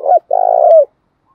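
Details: A spotted dove from male and female recordings used to excite trained birds to coo. It gives a clipped note and then a sustained pulsing coo that bends down at the close.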